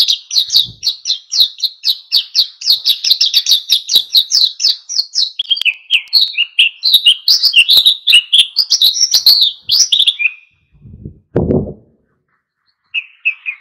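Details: Oriental white-eye singing in full wild style to provoke other birds into song: ten seconds of fast, high twittering notes, about four per second, wavering up and down, then a low thump and a faint closing trill.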